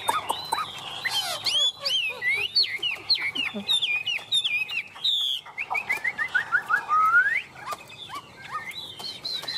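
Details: Hand-tame Chinese hwamei in full, vigorous song on a person's hand: fast, varied whistled phrases with sharp upslurs and downslurs, a descending run of notes, then a rising whistle.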